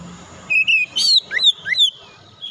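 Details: Fighter-character Oriental magpie-robin used to train an untrained bird: a brief loud phrase of bright whistled slurs and a harsh high burst, falling to a soft trailing note.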